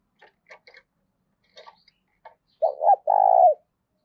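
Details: Scattered faint chirps and clicks come from small birds. Then a decoy spotted dove, kept to lure wild doves, delivers one loud coo phrase: a brief doubled hoarse note running into a sustained, level, husky coo.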